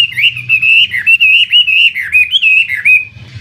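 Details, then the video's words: Chinese hwamei, an imported songbird prized in bird contests, pours out a loud continuous warble of wavering whistled notes rising and dipping, with a low hum faintly beneath. "Suara Burung Wambi (Chinese Hwamei)"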